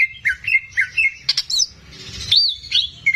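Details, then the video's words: Caged greater green leafbird owned by the keeper, singing actively as a training model for young birds: bouncy looping whistled notes, a brief high chatter, then more rolling whistles and a closing level whistle. "CUCAK IJO GACOR"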